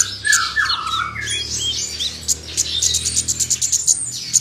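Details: An Oriental magpie-robin sings loudly, firing off mimicked filler phrases that agitate other magpie-robins. It opens with lower slurred whistles, then gives high varied whistles and a rapid run of sharp, clicking, repeated notes.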